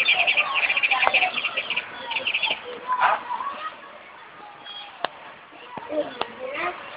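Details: House sparrow giving a quick run of short, repeated chirps over the first two seconds, followed by a few sharp clicks and scattered quieter notes, with faint voices in the background.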